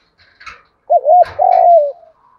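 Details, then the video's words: Close spotted dove lure bird giving one 'thúc gù' phrase: a wavering hoot then a long, slowly falling coo, with brief rustling or knocking sounds before and during the call. "tiếng chim cu gáy kích bổi. giọng thúc gù"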